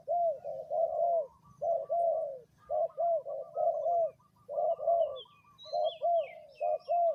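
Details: Decoy spotted dove calling on the ground at a third spot, giving steady, resonant low coos in close-knit groups of two or three, each phrase slightly bowed in pitch, with brief twittering from other birds near the end.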